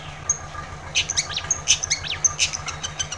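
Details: Long-tailed shrike song meant to prompt a quiet shrike to sing: quick mix of chirps, short sharp whistles and a few down-slurred notes, delivered in irregular clusters over a constant low hum.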